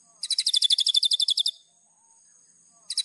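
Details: Master song of a white-rumped shama used to train cage birds, a fast string of sharp, high repeated notes for over a second, then quiet before the next burst begins.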